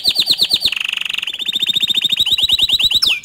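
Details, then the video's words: Canary song aimed at provoking other canaries to sing: rapid chirped trill, a dense low rattle, then a long run of quick repeated notes closing with a falling whistle. "Kenari Lain Pasti Emosi Dengar Kicau Kenari Ini Dan Auto Ikut Gacor Dor Juga"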